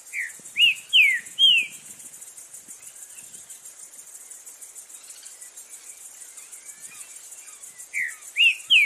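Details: Green-winged saltator in the wild giving a short burst of loud, falling whistled notes, then a long pause filled by steady insect buzzing, before another run of three to four whistles.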